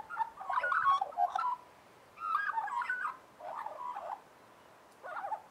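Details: Several Australian magpies warble in harmony, giving rich flute-like phrases in four separate bursts with short quiet gaps between them; each phrase mixes quick warbled notes and gliding whistles.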